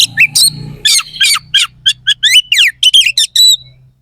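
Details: Oriental magpie-robin (kacer) performing harsh fill-in song meant to provoke rival contest birds: a long rapid series of scratchy, buzzy downslurred notes, several per second, with a low hum beneath.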